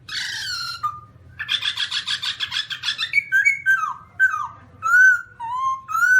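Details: Black-throated laughingthrush (Garrulax chinensis) giving loud whistled notes, first a descending phrase, then a rapid run of harsh chattering notes, followed by clear falling and rising whistles with a steady low hum beneath.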